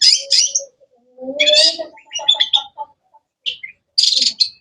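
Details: Cendet, or long-tailed shrike, singing in a varied, energetic way: harsh high bursts, a longer rasping phrase with softer low warbling beneath, then scattered short notes and a final buzzy trill.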